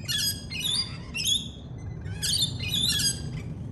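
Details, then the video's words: Australian lorikeet, a parrot, giving loud, raucous, harsh screeches in two bursts of several rapid, grating notes each, separated by a short pause. "Lorikeet Parrot Sounds"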